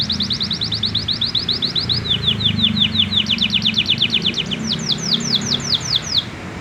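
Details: Young male canary practising song. Long strings of evenly repeated downslurred chirps shift in pitch and speed from tour to tour, about three notes per second at the slowest. Steady low hum underneath.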